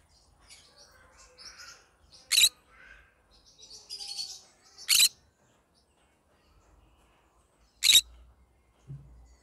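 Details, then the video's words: Yellow-sided green-cheeked conure singing, with quiet scratchy chattering broken by three short, loud harsh screeches spaced a few seconds apart, and a low background hum. "Yellow Sided green conure singing sounds"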